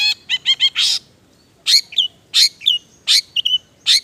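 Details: A long-tailed shrike sings a mimicry-filled semi gacor isian song: a quick stuttered triplet and a harsh burst, then paired sharp notes with whistled tails repeated roughly every 0.7 seconds.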